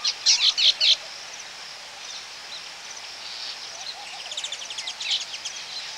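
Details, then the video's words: Baya weavers at their colony: a loud opening burst of four rapid harsh chips, then quieter distant chatter and a soft run of fast twittering notes from other birds in the colony. "Baya Weaver. Calls CU At Colony"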